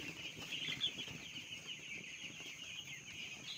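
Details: A crowd of small broiler chicks raised on a farm, giving a steady stream of thin, high-pitched peeps that blend into one unbroken chirping wash over soft shuffling sounds.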